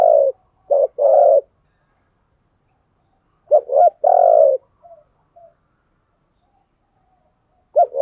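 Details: Decoy spotted dove cooing to lure wild doves: short bursts of low, mellow coo notes near the start, a second burst of coos around mid-clip, then quiet with a faint coo at the end.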